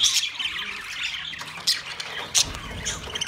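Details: Many caged budgerigars, 9 March 2024, giving sharp squawks and clicks over a constant bed of warbled twittering; three louder accented notes stand out.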